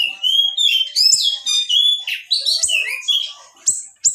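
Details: Young siri-siri in full voice, meant to teach other songbirds: clear sustained whistles that step and slide between pitches, followed by sharp high rising notes toward the end.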